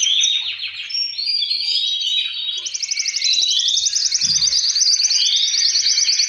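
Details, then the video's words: Caged male canary song meant to spur other birds to sing and breed: fast rolling trills and rising whistled notes, several males replying over each other, a faint low thump near the end. "تغريد فحول كناري الازعاج الذي يحتاجه طيورك لتحفيزها على الانتاج"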